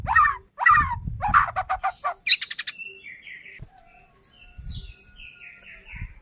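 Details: White-rumped shama song used as a lure to provoke other shamas into singing: harsh, buzzy bursts in quick succession, then a rapid clicking rattle, followed by softer, clear, whistled phrases sliding up and down.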